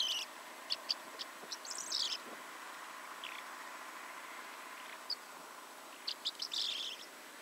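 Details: Corn bunting (Emberiza calandra) singing: a few dry ticks speeding into a brief, high jangling flourish, like shaken keys, given twice with a steady low hum behind.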